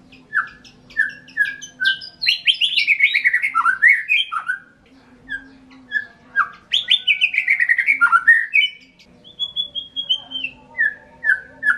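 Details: Extended white-rumped shama song: slow spaced whistles alternate with bursts of fast, cascading whistled phrases, some notes held flat and high, over a steady faint low hum.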